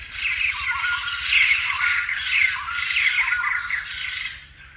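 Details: A rare White-crested laughingthrush gives a sustained raucous cackling outburst of grating, squawking notes. They come in surging pulses about twice a second for nearly five seconds over a soft low hum.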